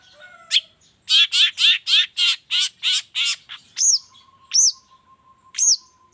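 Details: Long-tailed shrike lure sound from the morning, made to urge shrikes to sing: a row of nine loud harsh buzzy notes, followed by three clear rising whistles and a faint steady tone.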